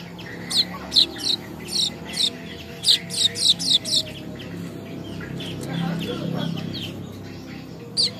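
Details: Young weaver in Bima, West Nusa Tenggara, practising its song: a quick run of bright high chirps, then a quieter stretch with a low murmur and one final chirp.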